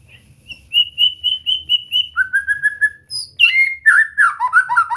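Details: White-rumped shama singing, as practice material to get a bird singing: steady repeated high whistles, a lower run of matching notes, then an abrupt burst of fast, varied warbling. A faint low rumble sits underneath.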